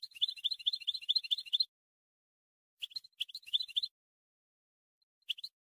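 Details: European goldfinch tutoring song for young birds, 2020, soft: a fast liquid twittering run lasting over a second, then a broken chirpy phrase and a few isolated notes.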